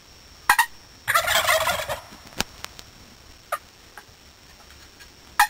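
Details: Turkey in Idaho in April: one rough, rattling burst lasting under a second, surrounded by scattered sharp clicks and knocks in a quiet setting.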